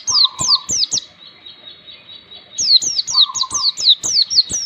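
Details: Oriental white-eye song used as a master recording to train young birds to sing forest-style: high, sharply falling slurred whistles repeated about twice a second in two bursts, each opening with a short lower buzzy trill, a quiet gap between.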